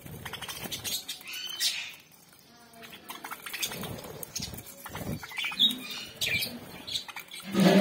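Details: A home colony of budgerigars chatters with scratchy warbles and sharp chirps, with some low indoor rumble.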